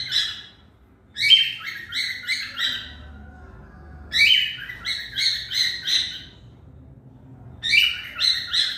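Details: Cockatiel kept as a pet, giving bursts of harsh, stacked chirping calls in quick series of four to six notes, three bursts about three seconds apart, over a low background hum.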